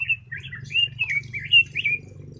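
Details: Lively warbled notes of a red-billed leiothrix, slurring up and down in a steady run of about two and a half seconds, above a soft low hum.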